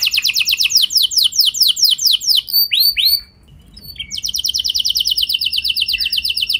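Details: Canary singing as a lure meant to provoke other canaries into long rolling song: fast high buzzy trills of repeated notes, then a few down-slurred whistles, a brief pause, and a long steady rapid roll.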